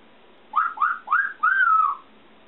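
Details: Pet female African grey parrot, at home for four months, newly whistling indoors: three quick upswept whistled notes followed by a longer, smoothly falling whistle, all within about a second and a half.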